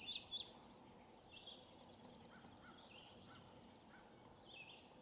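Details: Male indigo bunting singing near Cemetery Road Wetlands between Keene Valley and Keene, Essex County, New York, 16 July 2018, about twenty minutes after sunrise: high, bright notes in short bursts at start and end, faint thin series between, over steady hiss.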